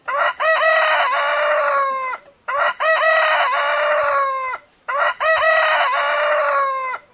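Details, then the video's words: A rooster crows three times in succession. Each is a loud, harmonic cock-a-doodle-doo lasting about two seconds, with short gaps between them, and there are no other clear sounds. "पशु-मुर्गा बाँग देता है"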